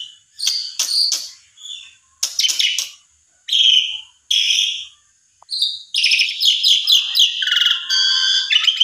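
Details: Asian pied starling singing to provoke a stalled bird into song: a varied run of sharp whistled notes and buzzy chattering bursts, with short pauses, ending in a dense, fast, continuous warbling stretch.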